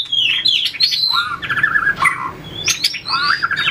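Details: White-rumped shama in fighting-song training, tail flicking and hopping between perches, gives loud, varied whistled phrases with slurred upward notes and trilled segments, punctuated by sharp clicks.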